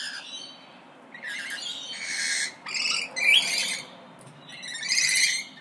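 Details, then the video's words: Quiet, muffled parrot calls: raspy chatter and a few rising whistled notes in scattered bursts over a constant low background hiss. "ΠΑΠΑΓΑΛΟΙ ΣΥΖΗΤΟΥΝ (PARROTS DISCUSSION)"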